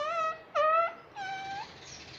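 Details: Household pet parrot talking, said to keep saying mummy; three drawn-out, nasal, voice-like syllables, the second loudest, the last fading into a thin high tone.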